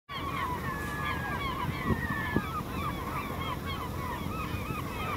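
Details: A flock of Steller's eiders at Vardø, Norway, on 5 April 2017, on a windless day, keeps up a steady chorus of short, overlapping crooning and yelping calls over a low rumble of surf.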